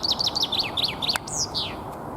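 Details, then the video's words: Territorial spring song of a common chaffinch in Alexander Park, Pushkin, St Petersburg, Russia, on 17 April 2021. Crisp repeated downslurred notes, about six, then a sharp click and a long swooping terminal flourish. "Весенняя песня зяблика."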